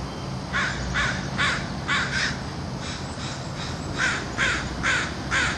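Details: Urban crows assembling for their daily feeding, giving a run of about nine harsh, hoarse caws in loose pairs and triplets, spaced roughly half a second apart, with low city rumble underneath.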